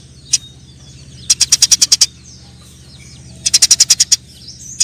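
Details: Eurasian tree sparrows fighting, giving rapid bursts of sharp, high chirps, about eight notes per burst, in two main runs with single chirps between, over a faint low hum.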